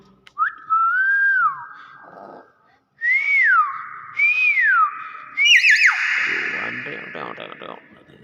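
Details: Common hill myna whistling clear, loud rising-and-falling notes, several separate swooping phrases, ending in a harsher broad burst, with a quiet room behind.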